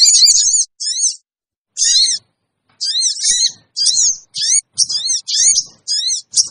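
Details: High-pitched sooty-headed bulbul lure calls aimed at drawing wild birds in: sharp down-slurred chevron notes given singly and in quick pairs, spaced by irregular pauses.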